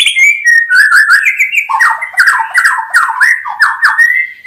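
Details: Continuous white-rumped shama song of rich, slurred whistled phrases, falling then rising, repeated in quick varied runs with sharp high clicks layered above.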